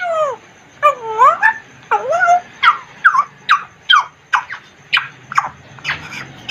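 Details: African grey parrot in its cage producing a rapid run of about a dozen short speech-like syllables, first a few drawn-out falling and rising sounds, then clipped notes roughly every third of a second.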